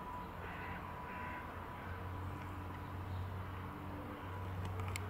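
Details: In Tivoli landscape park, Ljubljana, Slovenia, on 7 January 2022, a common moorhen gives a few harsh, croaking notes in quick succession over a steady low rumble of distant traffic.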